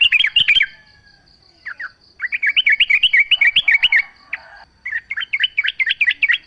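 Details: Yellow-vented bulbul in lively, nature-sound song used as a lure to make other bulbuls sing back: fast bubbly chirped phrases of rising and falling notes, in bursts with short pauses, over a steady high pulsing insect-like buzz.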